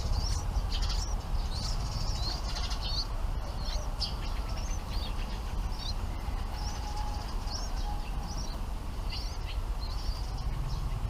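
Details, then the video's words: Bulbul chicks in the nest begging while parent birds bring food, giving thin high chirps repeated irregularly, about two or three a second, over a steady low rumbling background. "Bulbul Parent birds brings food to feed their babies in the nest"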